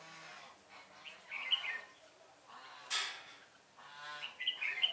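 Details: Red-whiskered bulbul song from a lure bird set for trapping, 1 November 2017: a brief warbled phrase early on, a sharp click-like noise midway, then a brighter, louder run of chirpy notes at the end.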